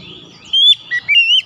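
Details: Brief Oriental magpie-robin phrase, used to prompt stressed birds to sing: a long bright rising whistle, a short lower note, then a wavering sustained whistle ending in a quick upward flick.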